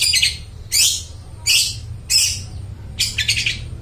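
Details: Long-tailed shrike singing, a recording meant to coax mute shrikes into song: four or five harsh rasping bursts spaced about every three quarters of a second, with a low background hum.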